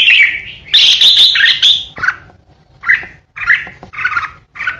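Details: Red-whiskered bulbul used as a decoy bird, singing with harsh ché notes: short warbled phrases alternate with a rasping, buzzy burst, separated by brief pauses.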